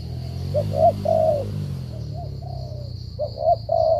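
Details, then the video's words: Spotted dove cooing in stuttering style, short mid-pitched hoots and drawn-out coos arriving irregularly and fairly faintly, with a continuous high whine and low background rumble. "thổ trận âm tốt giao long lở gù cà lăm"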